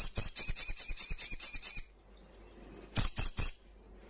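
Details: Wild crimson sunbird in loud, rapid song: a shrill trill of about a dozen metallic notes for nearly two seconds, a thin fading tail, then three quick high chips.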